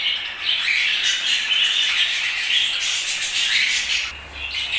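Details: Budgerigars chirping in a continuous, busy chatter of high scratchy warbles and short squawks, steady in loudness, easing briefly just before the end.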